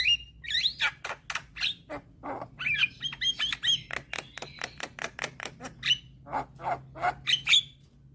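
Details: Young Javan myna singing constantly, meant to make reluctant mynas answer: a fast, dense medley of sharp chirps, harsh rasps and ringing whistled notes, almost without pause.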